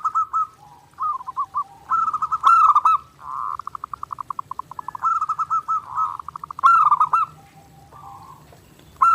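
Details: Long nonstop zebra dove (perkutut) song for daily training: rolling coo phrases alternate with fast stuttering pulses of repeated notes and soft single tones, ending on a new loud phrase.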